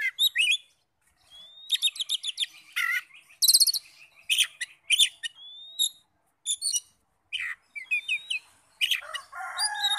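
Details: Oriental magpie-robin song used as a lure to rouse other magpie-robins into answering loudly: a varied, rapid run of sharp chirps, slurred whistles and buzzy harmonic bursts, high-pitched, in quick bursts separated by brief pauses.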